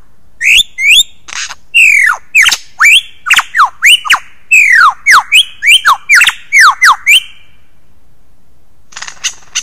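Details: Lyrebird mimicry in a loud, fast sequence of about twenty clear whistled notes, most sweeping steeply downward, some rising, packed closely for seven seconds. A few faint ticking sounds follow after a pause.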